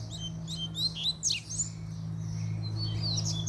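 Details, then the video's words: Double-collared seedeater, puxada-style song: loud, fast, high sweeping chirps and sharp down-slurred notes early on, fading to scattered notes, with a strong steady low electrical hum throughout. "PUXADA DE COLEIRO"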